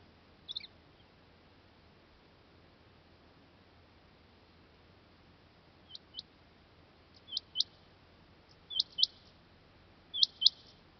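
A male rain quail gives sharp, high, metallic double notes, 'which-which', repeated every second or so after a pause. The background is quiet.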